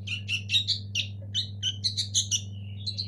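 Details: Local sooty-headed bulbul chicks give a quick string of rough, chirping notes, ending in a thin rising squeak, over a persistent low hum.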